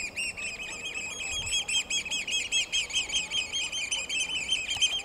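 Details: Oystercatchers at the National Memorial Arboretum pipe shrilly and insistently, loud high notes tumbling over each other at a rapid, excited pace; the recordist assumes a quarrel between two males and one female.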